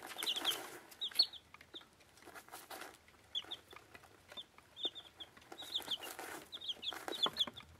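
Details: Week-old dwarf Plymouth Rock and Rhode Island chicks eating; sparse short high peeps come in small groups between louder rustling and pecking noises.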